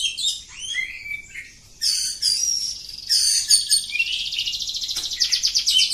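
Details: Long unbroken song of a village-type oriental magpie-robin: sweet whistled slurs open, then harsh chattering bursts and a sustained rapid buzzy trill, all high and fast.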